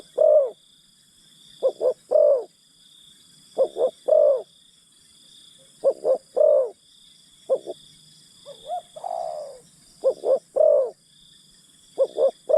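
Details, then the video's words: Spotted dove acting as a decoy for wild birds, repeating its two-short-one-long cooing phrase roughly every two seconds, with one looser, softer coo in the middle and a continuous shrill insect background. "Pikat Terkukur Aksi denak memujuk burung hutan"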